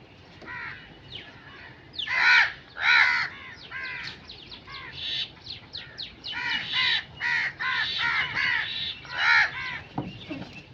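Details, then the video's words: Crows cawing in a busy series of harsh, raspy calls, some loud and close, others softer and overlapping, repeated irregularly throughout, ending with a dull low thump. "Crow sound effects"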